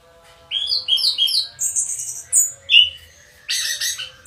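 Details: Orange-headed thrush kept as a house bird, singing a run of three repeated whistled notes, then high thin tones, a rising slur and a harsh scratchy burst at the end.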